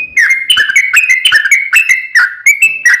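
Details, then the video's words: Sooty-headed bulbul pouring out a quick, lively series of bright two-part chirps in the long 'ropel panjang' style, used to spur a kept bird into song. "SUARA trucukan gacor ROPEL PANJANG pancingan trucukan agar bunyi JADIKAN burung trucuk gacor NYAUT"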